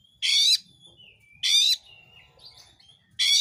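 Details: Actively singing oriental magpie-robin, a recording meant to provoke other magpie-robins into song; three strident, grating bursts roughly 1.3 seconds apart, linked by soft drawn-out whistles and faint low background murmur.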